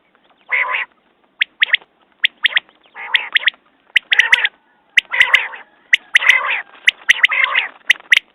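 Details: Quail calling persistently: harsh nasal bursts alternating with sharp clicking notes, the phrases growing denser over several seconds.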